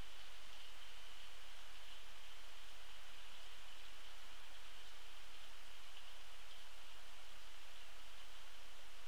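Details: Steady rain-like hiss fills the recording, with a constant faint high hum and low rumble and no distinct animal calls.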